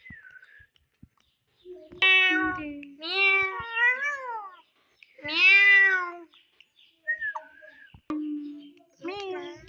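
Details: A talking ringneck parrot imitates a cat's meow in nasal, harmonic bursts, giving four or five drawn-out, meow-like phrases that rise and fall, with short pauses between them.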